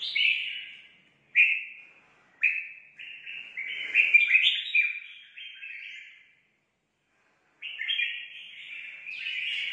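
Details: Red-whiskered bulbul fresh from the forest sings in competition: short clear whistled notes, then a tumbling run of quick warbles, a silent gap of over a second, and a renewed bright phrase.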